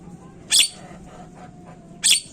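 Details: Javan myna (jalak kebo) lure recording, meant to make mynas start calling quickly: two short, harsh, rasping bursts about one and a half seconds apart over a faint low hum.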